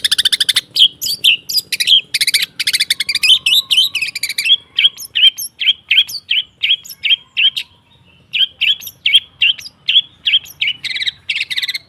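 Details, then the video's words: Long-tailed shrike training song to make birds sing: opening dense harsh chatter, then a long series of short whistled notes repeated roughly every half second, with a brief pause before resuming. "Suara TERAPI pancingan cendet /pentet macet total"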